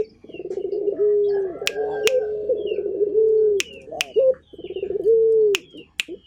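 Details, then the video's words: Actively calling Barbary dove of a local strain: buzzy, purring coos, each swelling and then sliding slightly down, repeated in a steady series, with occasional sharp clicks and distant chirps. "Burung Puter Gacor"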